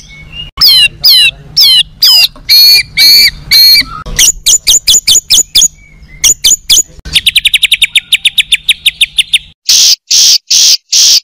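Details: Competition Oriental magpie-robin singing its isian, fill-in phrases said to unsettle rival birds on the same hanging pole: rising and falling whistled notes, then sharp repeated clicks, a fast even trill and loud buzzy bursts.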